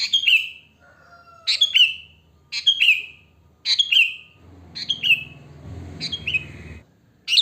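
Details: Sooty-headed bulbul in the wild giving its natural song for luring other bulbuls; quick repeated falling chirpy phrases, a thin whistle early on, and a low murmur of background noise midway.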